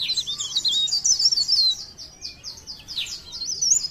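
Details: Leaf warbler from Pare Pare: a dense run of high, squeaky, rapidly modulated notes for nearly two seconds, then quieter repeated downslurred chirps, ending with a brief rising squeak.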